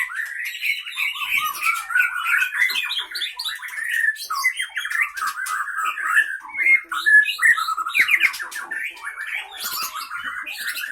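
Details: Caged white-rumped shama of the Leuser Pining line from Gayo Lues, Aceh, Indonesia, a wild-caught fighter bird, singing while fighting in its cage: a long, continuous, sharp torrent of varied harsh squawks, whistles and chattering notes with no pauses.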